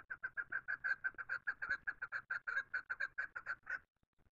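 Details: Chukar giving its natural call: a steady run of about twenty raspy chuck notes, close to five per second, ending abruptly before near-silence.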